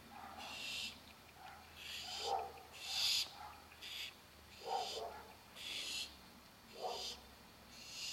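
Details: Baby barn owls waiting for dinner give harsh, hissing begging snores in bursts about a second apart, broad and breathy, with softer lower rasps between them.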